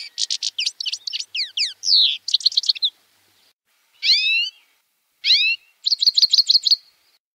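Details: Grey-headed goldfinch song: rapid twittering bursts of sharp high notes and downward-sweeping slurred whistles, then after a short pause two buzzy descending notes and a fast trilled run of repeated chirps.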